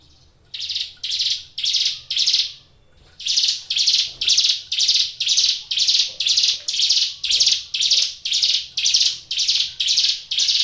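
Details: Caged Hill Prinia singing energetically: harsh buzzy notes repeated about twice a second, with a short pause near the start and then a steady, even series through to the end.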